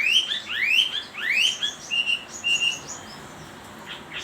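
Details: Chinese hwamei singing: a run of rising whistled slurs, then clear level whistled notes given in pairs, with faint softer notes after and a hiss in the background.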